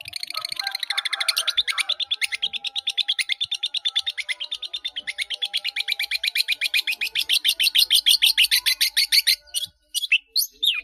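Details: Caged long-tailed shrike delivering a long, fast, even trill of buzzy chattering notes, about three per second. The notes grow louder and higher toward the end, then come a few separate sharp calls.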